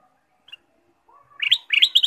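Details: Ruby-throated bulbul in full, lively song, played to stimulate caged birds: after a soft lead-in note, two quick phrases of liquid, warbling chirps that climb and ripple.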